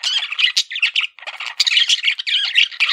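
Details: Pet male parakeet, a budgerigar, chattering nonstop in a buzzy, scratchy warble mixed with squeaks, pausing only once briefly.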